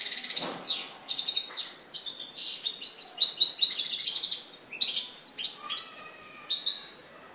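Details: A European goldfinch in Morocco on 4 December 2013 sings a fast, liquid run of tinkling twitters, high trills and buzzy notes, flowing almost without pause.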